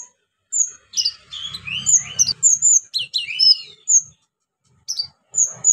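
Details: Varied orange-headed thrush song rich in imitated phrases, a lure for birds that have stopped singing: swooping whistles, high pure notes and rapid chattering bursts, with faint low rumble.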